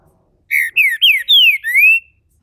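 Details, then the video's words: Captive green-winged saltator bred in Brazil, opening into its main song: five clear whistled phrases, slurred down then up, ringing and loud, in a quiet room with no other sounds. "trinca ferro MULEKE, abrindo canto... canto principal!!!"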